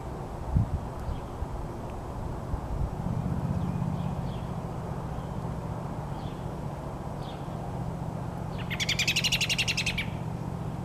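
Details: A robin on a sidewalk with a squirrel nearby gives a few faint, scattered chirps, then a quick burst of high, rapid chattering notes near the end as it flies away, over a steady low rumble of traffic.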